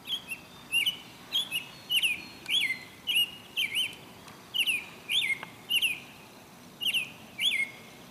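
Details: American robin singing at Dufferin Islands: short, clear, slurred whistles, rising then falling, about one and a half per second, with faint high squeaky notes over a quiet background.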